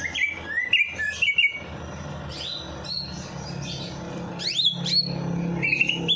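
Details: After a night bath, a bird sings to encourage lazy birds to start: clusters of sharp upslurred whistles and chirps, a quieter gap midway, then louder rising notes over a low droning hum.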